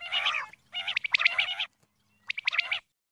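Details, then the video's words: Calling female common quail gives grating, buzzy bursts, two long ones then a shorter one after a pause, each made of rough rapid pulses. "Female Quail Calling Dhoghla Batair ki Awaz"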